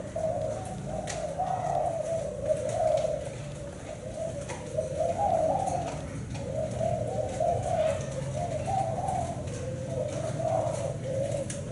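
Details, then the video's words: Zebra dove (black-spotted Thai strain) giving soft, rolling, bubbly coos of a seven-note pattern in phrases about every two seconds, nearly unbroken, over a faint low hum. "Cu gáy thái bông đen 7 sị"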